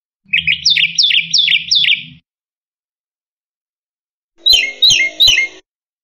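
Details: Black-winged myna (Acridotheres melanopterus), song.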